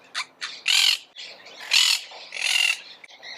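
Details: Monk parakeet, a green parrot native to South America, giving harsh, raspy squawks of uneven length, some short chirps among longer grating bursts, irregularly spaced.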